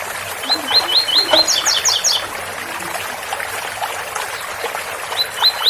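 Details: Ouro Fino style tui-tui song from a double-collared seedeater with running water behind; five rising whistles followed by three higher sharp notes, then a second phrase beginning near the end, water trickling throughout.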